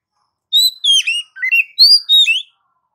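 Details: Singing Oriental magpie-robin delivering one continuous phrase of loud, sweet whistles, some rising and some falling. A brief lower buzzy note sits in the middle. No other sounds intrude.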